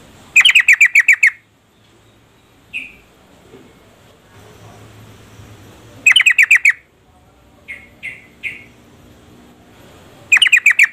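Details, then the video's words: Calling female yellow-vented bulbul, used to rouse a male into song: three bursts of fast, scratchy chattering notes, six or seven each, about every five seconds, with a few single chirps between. "Trucuk betina memanggil jantan AMPUH merangsang jantan ikut bunyi gacor"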